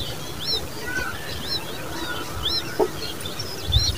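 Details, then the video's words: Common babbler chicks calling: thin, arched high chirps repeated about once a second over a steady low background hum, with a faint lower whistle and a brief knock. "Common babbler birds babies with sound"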